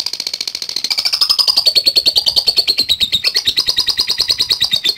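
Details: Chatty lovebird giving a long ngekek chatter, used as a lure to provoke rivals into answering; a continuous, fast, rattling run of high pulses that slides slightly downward and keeps going without pause.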